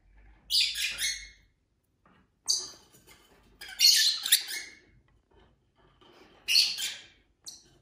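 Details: Several pet lovebirds kept together indoors, uttering shrill, raspy chirp bursts about a second long, spaced by short pauses, with quiet clicks and rustling between them.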